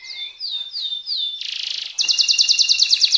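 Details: Canary in speed-roll style giving four swooping whistles, then a short buzzy burst followed by a fast, even run of crisp high notes.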